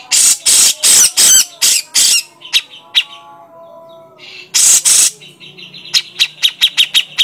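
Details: Grey-cheeked bulbul lure recording to provoke birds into calling, with loud rasping broadband bursts in rapid series, a pause with faint tonal notes, then a quick train of sharp high chips.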